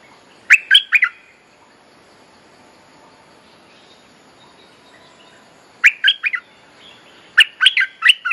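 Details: Bulbul mate-calling lure song, used for teaching young birds: two bursts of quick, bubbly, warbled notes in the mid range, separated by a long quiet gap with faint background hiss.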